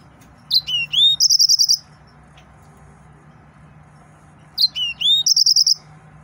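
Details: Excited male yellow-fronted canary singing two matching phrases about four seconds apart, each of sharp upslurred whistles followed by a rapid buzzy trill of about seven notes, with quiet gaps between.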